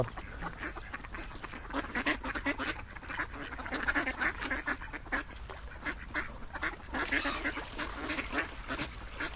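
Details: Many ducks call together in a long, unbroken stream of short, raspy quacks, rising and falling in loudness as the chorus surges.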